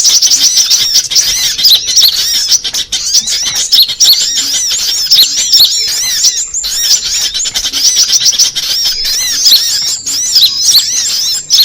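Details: Sunbird calls used as a lure for trapping: dense, loud, high-pitched chirps and quick rising and falling whistled notes, many overlapping in a continuous chattering stream with brief gaps.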